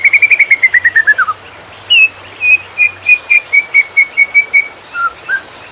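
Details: Master song of a greater green leafbird in konslet style: a fast descending string of whistled notes, a pause, then steady clear whistles repeated about twice a second, ending in two lower notes; faint low hum beneath.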